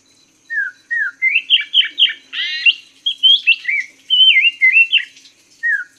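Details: Chinese hwamei singing a master song used to teach cage birds: slurred downward whistles, then a fast run of buzzy, rich phrases and looping whistled notes, closing with another falling whistle.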